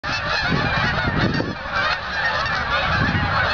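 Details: Flock of Canada geese flying over the Experimental Farm in Ottawa, Canada, on November 8, 2008: dense overlapping honking from many birds at once, a continuous loud chorus of nasal honks with low rumbling underneath.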